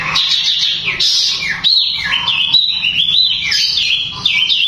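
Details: Long-tailed shrike with a rapid, dense 'tembakan' song said to trigger other shrikes' emotion and breeding drive. Harsh chatter comes first, then a long run of warbling whistled notes rising and dipping.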